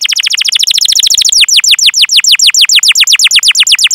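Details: Canary trilling to lure other canaries to sing, a very rapid run of falling notes slowing into clearer, spaced downward-sweeping chirps.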